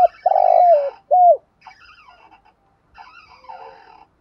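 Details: Decoy spotted dove in "thúc gù" style, kept to draw in wild doves: a long, steady, hollow coo followed by a short falling coo, then quieter chattering and chirping of other small birds for the rest.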